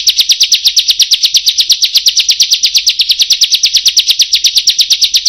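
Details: Bar-winged prinia in a long rolling burst, a very fast unbroken series of high sharp ticking notes, nearly three per second, steady and even throughout.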